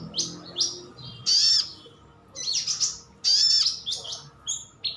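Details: Pet sunbird's wild-style call, meant to draw replies from other birds: high, thin chirps and two louder sharp slurred bursts, irregularly spaced, with a faint low hum beneath.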